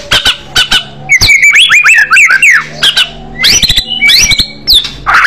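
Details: White-rumped shama in an aggressive fighter style sings loudly: clipped harsh notes, then a fast jumble of zigzag whistles and chirps, later clear rising whistles separated by sharp clicks.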